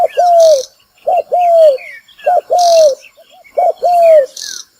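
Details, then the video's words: Spotted dove call used as a lure for trapping: low cooing phrases of a short note followed by a longer, gently falling coo, repeated about every second, with faint high chirps of other birds behind. "Tiếng chim cu gáy mồi kích bổi đá lụp"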